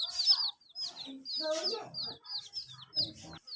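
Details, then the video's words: Young chickens at their water, given heat for warmth, giving bright descending peeps in quick bursts, while lower voiced sounds, perhaps human speech, mix in throughout. "Silly Chicks Chirping Sounds"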